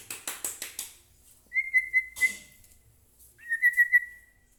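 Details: White-rumped shama in full song, used as a lure to provoke other shamas into singing: a burst of dry rapid clicks, then two long, steady, slightly warbling whistled notes separated by a short pause.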